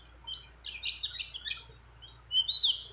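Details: Breeding-condition female white-eye calling for a male: a brief, scratchy cluster of high chirps followed by a clear, rising thin whistle, with other birds' phrases among the notes.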